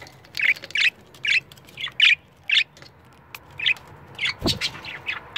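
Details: A pair of pet budgerigars reacting against a camera gives an even series of harsh chirped squawks, then softer, jumbled chatter with a low thump partway through.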